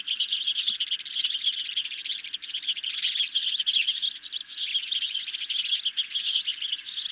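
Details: Hungry ospreys at their nest at night on 10 July 2021, being fed a medium-sized fish, caught on a nest camera. Dense, continuous high chirping whistles, rapid and overlapping, run without pause throughout.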